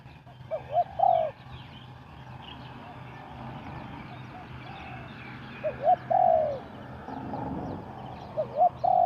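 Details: Spotted dove cooing fast as a decoy for trapping, three short phrases of a brief rising note and a falling coo separated by long gaps, over a steady background murmur.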